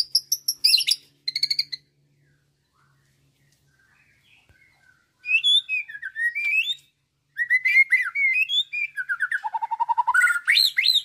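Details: Young captive white-rumped shama about nine months old, trained on lovebird, canary, cililin, kapas tembak, prinia, sparrow, suren and rio-rio imitations; brief chirpy bursts, a pause, then rapid varied whistled phrases rising and falling, ending in quick repeated notes.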